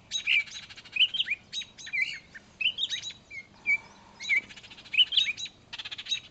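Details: Baltimore Oriole parents, as the recorder suspects, call in alarm at a person near their fledgling on the ground after it fell from the nest: sharp, rapid chirps and short whistled notes, broken by dry rattling chatter.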